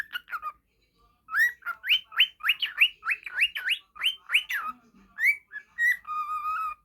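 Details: Caged falk budgerigar whistling nonstop, its song used as a training model for other birds; short chirps, then a quick run of rising zigzag whistles about three per second, ending in a sustained lower whistle.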